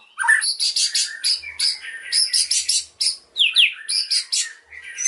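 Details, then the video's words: White-rumped shama pouring out a dense, fast song of harsh chattering syllables and sharp upward whistles repeated in quick bursts. "MURAI PASTOL BONGKAR ISIAN CILILIN AUTO NGAMUK"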